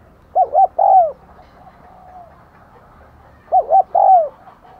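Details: Decoy spotted dove calling to attract wild doves ('thúc gù', 'gáy gọi'): two phrases three seconds apart, each two quick short hoots followed by a longer, louder note that drops away at the end.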